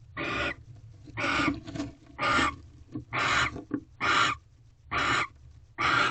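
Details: Barn owls mating on the second night at a nest box in a corral, recorded 18 February 2023 at 8:19 pm during a mouse delivery: harsh broadband hissing screeches, about one per second, with faint scratching between.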